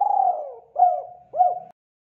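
Spotted dove giving soft, low cooing notes: a long falling coo followed by two shorter rounded coos, about half a second apart, in an otherwise quiet setting.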